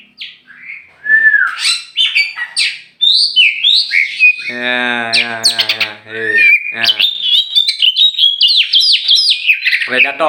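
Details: Tame oriental magpie-robin, a champion songbird from Meulaboh, Aceh, flying loose before caging. Sweet whistles and chirps give way to a drawn-out harsh, nasal buzz, then a fast run of high, bright whistled notes.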